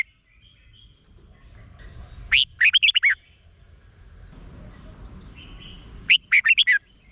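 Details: Red-whiskered bulbul song from Thailand, played to excite caged birds: two loud, quick phrases of four to five bright, bubbling whistled notes about four seconds apart, with faint chirps of other birds in a quiet background.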